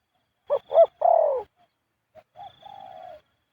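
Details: Spotted dove's khu-ang coo, delivered almost constantly: two short throaty notes, a longer falling coo, then a pause and a softer, flatter low coo.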